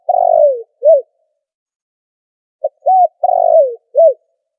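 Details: Trapping lure call of a spotted dove, cleaned of noise: a long falling coo followed by an arched note, a pause of about two seconds, then a clipped note, two arched coos and another long descending coo, all low and soft.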